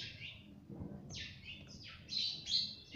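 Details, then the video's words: Pet talking parrot known for saying "mummy": a run of bright, high chirps and short squawks, several rising or falling quickly, repeated about every half second with a faint low indoor hum beneath. "Talking parrot video || Mummy bolne wala tota"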